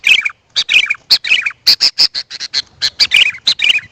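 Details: Sooty-headed bulbul calls intended to draw in wild birds. Loud, choppy chirps and short gurgling notes come in quick succession, with tiny pauses between groups.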